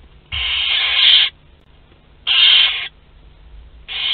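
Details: Barn owl chicks, two to twelve days old, feeding together in Théding, France, 29 April 2021: a drawn-out hissing screech near one second, then a shorter one and a third starting, over low hum.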